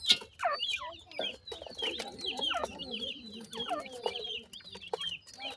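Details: Several francolin chicks being fed termites and homemade food chirp in a busy, high chorus of short falling peeps, with softer low murmuring underneath.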